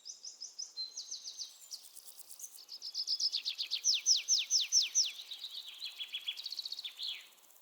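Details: Bird song made of fast series of high, thin, downward-slurred notes, each series changing pitch and tempo and running continuously for about seven seconds, with quiet background.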